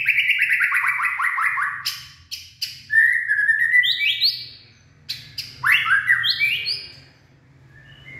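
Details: White-rumped shama, a purebred bird, singing in the late afternoon on 18 February 2024; a fast series of falling notes opens, followed by whistled phrases and stepped rising notes with brief gaps, over a faint low hum.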